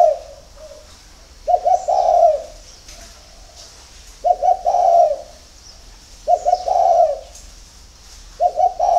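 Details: Spotted dove from a dove farm in Ba Vì, Hanoi, Vietnam, singing in early morning: four coo phrases spaced about two to three seconds apart, each with stuttering opening notes and a drawn-out, throaty roll.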